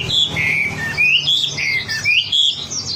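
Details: Lure recording of wambi song: drawn-out whistles held then bent downward, mixed with a few scratchy higher notes, over a faint low hum.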